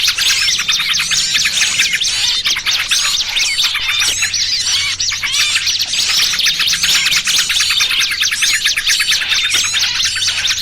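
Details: Small-bird lure for trapping, noisy trucukan and pinched small-bird combination: a steady blizzard of thin high chirps and rapid twitters from many birds at once, dense and unbroken, over a quiet hum.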